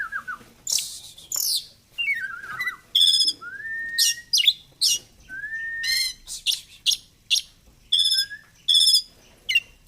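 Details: Oriental magpie-robin delivering fighter-style 'gacor' song, feathers puffed ('ngobra'): descending whistles and long rising slurred whistles alternate with bursts of buzzy, rattling high notes at roughly one-second intervals.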